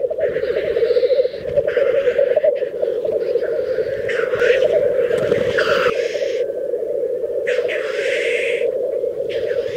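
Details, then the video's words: Mating display of black grouse at a lek in Teesdale, North Pennine uplands, UK. A continuous murmuring, bubbling chorus runs beneath repeated explosive hissing 'sneezes' scattered across the recording. "Black Grouse 'lekking'"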